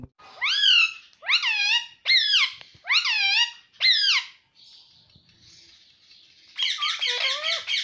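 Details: Speaking pet ring-necked parrot repeats the same harsh, upward-swooping word five times at a quick, steady pace, then gives a soft hiss and a fast run of chattering syllables.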